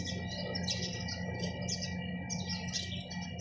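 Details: Several sparrows chirping at once, a dense overlapping chatter of high, twittering chirps, with a constant low rumble and hum underneath.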